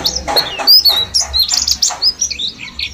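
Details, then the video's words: Kept mountain white-eye from Mount Slamet, a bulk-caught bird ten days into learning wild-style singing: rapid high thin chirps and short sliding whistles tumble together in quick bursts, with a low steady hum underneath. "Pleci gunung slamet ombyokan 10 hari belajar ngalas"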